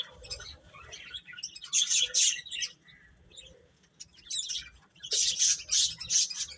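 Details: Baby chicks chirping in clustered bursts: loud runs of high, thin peeps around two seconds and again after five seconds, with quieter scattered chirps between.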